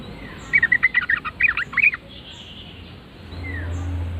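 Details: Yellow-vented bulbul replying to a lure call: one quick, bubbly phrase of about ten rapid chirps lasting under two seconds, followed by quiet background and a low hum.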